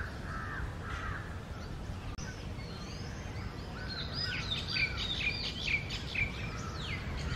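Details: Oriental magpie-robin pair, male and female, in early summer breeding-season morning song; quiet low whistles at first, then a lively burst of bright high chirps and slurred notes, all under constant hiss.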